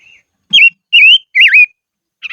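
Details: Decoy silver-eared mesia singing in upland country: three clear, loud whistled phrases about half a second apart, wavering down and up, with a brief soft note before and a scratchy burst at the end.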